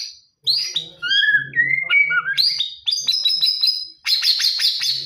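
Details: White-rumped shama singing in the morning: varied whistled phrases, a clear rising-falling whistle near the start, then sharp chips and a fast buzzy trill at the end.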